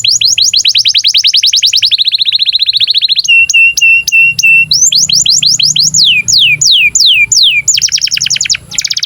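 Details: Male canary song used to stimulate breeding mood and to tutor young canaries so they sing and roll: fast trilled rolls, a run of steady flat whistles, then rapid descending slurred notes, all high and bright, over a faint low hum.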